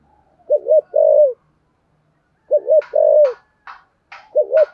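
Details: Spotted dove in the 'giọng thổ sấm' 'thúc gù' style, cooing about every two seconds: a low wavering double note, then a held note, repeated three times, with short bursts of higher chirping noise late on.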